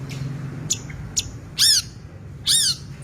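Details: Long-tailed shrike in energetic 'isian' song; a few thin high ticks, then two loud, harsh, down-curving squawked notes about a second apart, a steady low hum beneath.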